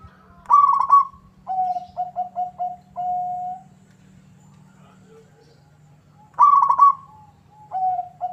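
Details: Local zebra dove in vigorous song provoking a rival: a rolling trill, four short low coos and a held note, a faint lower murmur, then another trill and a final pair of low notes.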